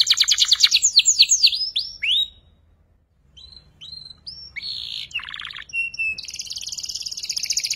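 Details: Young canary learning to sing, producing high, rapid trills and chirps, buzzy repeated notes and quick downslurred whistles, with a short silent gap midway before resuming with sharp notes and a dense, fast-pulsed trill.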